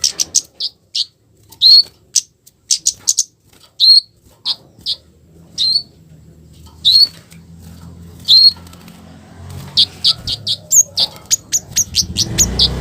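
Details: Scarlet-headed flowerpecker giving a harsh 'cit keres' call used as a lure to provoke other flowerpeckers to answer; sharp, very high ticks in irregular bursts, a few with short downslurred tails, with low rumbling noise toward the end.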